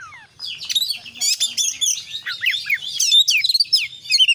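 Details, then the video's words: Oriental magpie-robin (kacer) in active 'gacor' singing, a 'full isian' style packed with fill-in phrases: rapid, varied high whistles, sweeps and chattering notes tumbling together with almost no pauses. "kacer gacor KONSLET full isian"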